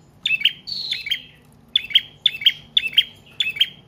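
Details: Prinia of the trotol or paot type, in long continuous song used as a lure and to train cage birds. Sharp, metallic double chirps repeat about every half second, each with a trailing buzzy tail.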